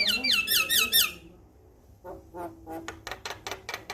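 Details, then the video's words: Male Javan myna in a song used to set captive mynas singing: a fast series of wavy looping whistles, a short silence, then a rising sequence of sharp clicks and chips. "Masteran jalak Kebo jantan Suaranya Bikin Burung jalak Anda Langsung Bunyi"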